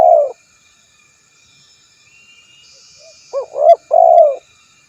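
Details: Spotted dove calling a rival, recorded especially for luring other doves. It opens with a loud low coo, then after a quiet pause comes a quick two-part coo followed by a longer, rolling coo. The background is otherwise quiet.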